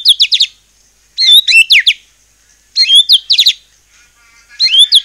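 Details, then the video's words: Singing white-rumped shama used to goad other shamas into song, delivering short, loud bursts of quick whistled and slurred notes about every one and a half seconds, separated by brief silences. "murai batu gacor AMPUH buat PANCINGAN murai batu agar bunyi JADIKAN burung murai gacor EMOSI NYAUT"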